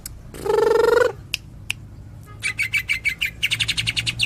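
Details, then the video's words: Kapas tembak song of a greater green leafbird from Cililin: a low, buzzy nasal rasp, two clicks, then a quickening string of bright, high staccato chirps. "Cucak Ijo 86 Tembakan Cililin,kapas tembak"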